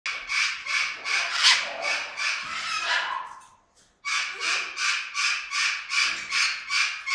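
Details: Venezuelan amazon, a single parrot about 10 meters from the recordist, in contented whistling: harsh, broadband rasping bursts repeated about every 0.4 seconds, briefly pausing near the middle, then resuming in the same steady rhythm.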